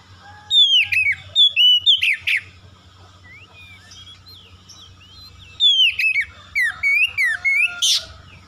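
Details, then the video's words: Oriental magpie-robin song used to rouse other birds to sing aggressively: bursts of sharp whistled and slurred notes, a quiet stretch with faint distant twitters, then another rapid run of whistles ending in a rasp; low hum throughout. "PANCINGAN KACER CEPAT NARUNG NAIK EMOSI MENGOYAK LAWAN"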